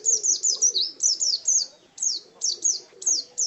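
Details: Pet white-eye (pleci), a contest bird in master gacor style, singing high, thin, downward-sweeping chirps in quick bursts of two or three, repeated about every half second, with a faint low hum beneath.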